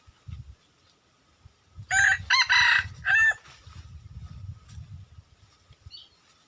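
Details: A wild junglefowl rooster crows: a harsh, strident call in three or four raspy bursts ending with a falling tail. A steady low rumble lies underneath throughout.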